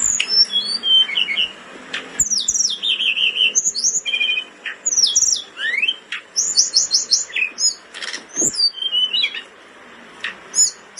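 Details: Caged blood-breasted flowerpecker in breeding condition, recorded as a tutor song: fast, high-pitched twittering with rapid trilled runs, sharp rising and falling notes and clicky chips, pouring out almost nonstop over eleven seconds in a small room.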